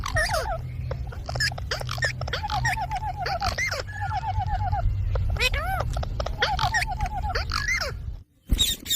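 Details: Green pet parrot talking, its mimicked words coming as wavering, harmonic syllables in short runs, some rapid repeated notes, over a steady low hum, ending in a brief silence and a sharp burst.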